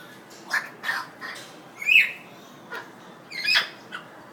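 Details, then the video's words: African grey parrot after a bath, indoors in Dhaka, Bangladesh, giving a series of short harsh squawks and chirps spaced about half a second apart, with quiet pauses between bursts. "African Grey Parrot Talking after bath"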